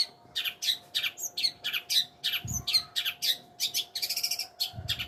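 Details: Long-tailed shrike singing a brisk series of varied chirps, rasping notes and a short buzzy rattle near the end, delivered almost without pause; a faint hum and a couple of low thumps are audible.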